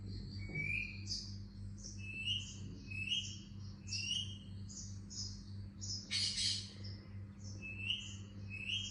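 A ringneck parakeet gives short, bright, upslurred chirps almost every second, broken by one harsh squawk. A steady low hum runs underneath.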